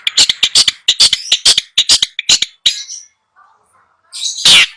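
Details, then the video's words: Training song for a long-tailed shrike that refuses to sing: a fast run of rough, scratchy notes about two per second for nearly three seconds, a pause with faint low sounds, then one loud harsh burst. "Masteran Cendet Males bunyi"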